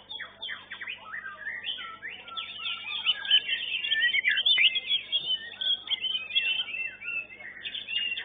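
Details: White-rumped shamas singing at a songbird competition: a continuous stream of rich, varied, bright, high-pitched whistles and rapid chattering phrases, with several songs overlapping as if more than one bird is singing.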